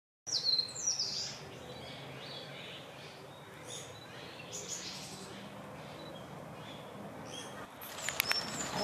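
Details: At fledging in mixed woodland around 8 a.m. on 8 May 2020, parent Japanese pygmy woodpeckers urge their young to leave the nest, giving thin, high squeaky calls and short chirps in loose bursts over soft woodland background noise.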